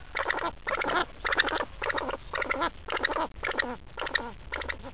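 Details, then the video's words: Angry pheasant scolding nearby people with coarse, buzzing chatter delivered in evenly spaced bursts, roughly two each second. "angry pheasant....doesnt like us at all!!!"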